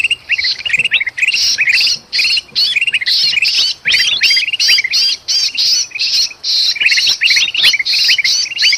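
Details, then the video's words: Agitated bulbuls in Sumatran forest, one described as trapped, used to lure birds: dense, rapid chattering of rising chirps over harsh, raspy bursts, many notes per second with brief pauses. "suara kutilang emas ribut sama kutilang kejepit"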